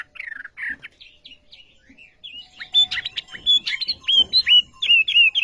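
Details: Olive-backed sunbird in lively full song: quick high chirps and short whistled notes, soft and scattered at first, then louder, sharper and rapidly repeated slurred tweets toward the end.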